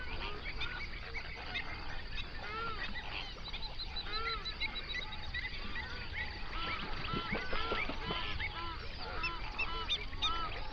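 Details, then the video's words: Flamingo flock on a lake in a national park in the Overberg region, South Africa, binaural recording near sunrise. Many separate arched honks rise and fall across the chorus, growing busier and louder toward the end. "Flamingo sounds"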